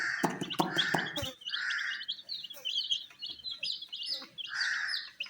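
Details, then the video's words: Colored young chicks feeding on wheat make high, quickly repeated descending chirps from a crowd of birds, with pecking clicks at the start and soft mid-pitched bursts throughout. "Colors MURGI baby Chicks are eating "wheat Challenge" with "Chicks Chirping" Sounds"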